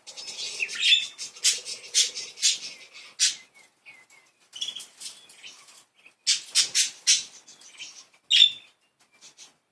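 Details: Happy, playful pet budgies in a continuous run of rapid scratchy chirps and squeaky whistled notes, coming in loud bursts separated by brief quieter gaps.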